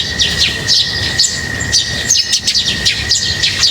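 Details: Several lovebirds chirp as they are fed, giving dense bursts of sharp, high, twittering notes that overlap continuously over a constant high-pitched hum.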